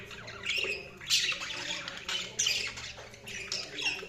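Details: Budgies chirping: a series of short, scratchy, warbling chirps and squawks in bursts about every second, with a faint background hum.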